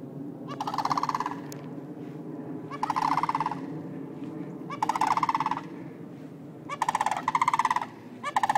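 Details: Sandhill cranes squawking in Longleaf, Trinity, Florida, in early September: loud rolling, rattling calls in bursts of about a second, coming every two seconds or so, over a steady low background hum.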